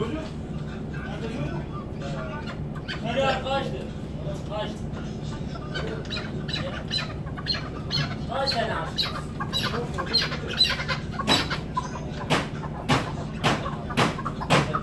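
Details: Chukar partridge of the hıngırmacı singing type: harsh, clucking notes in short bursts around seconds three and eight, then a run of sharp clicks repeated roughly every half second, with a man talking over much of it.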